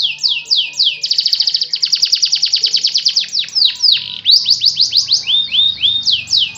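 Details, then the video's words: Canary song from a bird holding one spot: opening whistled slurs lead into a long, rapid trill of identical high notes, then looping descending and upswept phrases repeated several times over a quiet low hum. "KENARI ANTI NJEPRET NAGEN SATU TITIK"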